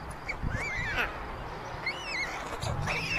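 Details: White storks at a chimney-top nest in Ságvár, Hungary, on 22 May 2024, as older siblings steal food from the youngest chick. Thin, whistled rising-then-falling wails repeat in short bursts over a low steady rumble.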